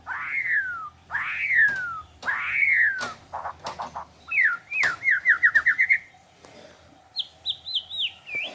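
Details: Singing white-rumped shama imitating wild animal sounds: three loud descending whistles, then a quick run of bouncing, rising-falling notes and a high wavering trill after a short pause.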